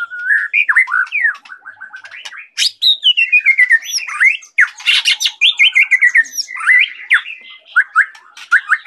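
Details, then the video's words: Vigorous song of a white-rumped shama from Medan: long sequences of slurred, falling whistles and twisting notes interwoven with rapid clicks, almost continuous over nine seconds. "Murai batu gacor"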